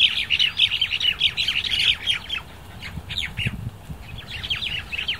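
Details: Crested mynas at dusk give a busy stream of sharp, scratchy chirps and downslurred squeaks, several birds overlapping, with a faint low rumble beneath.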